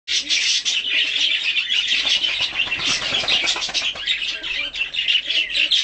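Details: Hand-tame budgerigar of a colour mutation, kept as a pet, during feeding and a short play and cuddle session; steady, dense, scratchy warbling chatter of rapid buzzy notes running without pause throughout.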